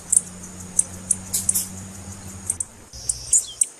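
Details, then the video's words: Female blue-black grassquit call used to warm up a male for singing. It gives quick high clicking chips at irregular intervals over a faint steady hiss, and the recording cuts out briefly near the end. "Piado de fêmea de tiziu Para Esquentar Tiziu"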